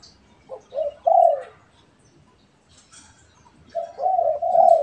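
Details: Pet and wild spotted doves answering each other: three rising coos close together, a quiet gap, then a longer, louder rolling coo phrase to the end.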